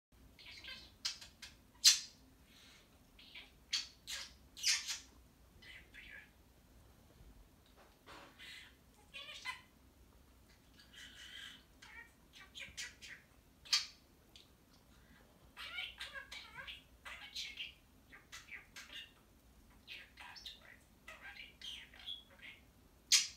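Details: Male pet budgerigar playing on top of his cage chatters in quick, scratchy, high-pitched bursts, mixing mimicked words such as "I'm a chicken" into his warbling.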